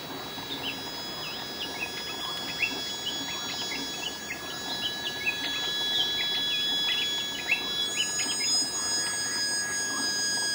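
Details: Striated bulbul, a common resident, singing at a cliffside waterfall where it came to bathe in the hot season, Phu Luang Wildlife Sanctuary, Loei, Thailand: quick, bright chirps and short warbled notes tumbling together, with other birds and steady high insect tones.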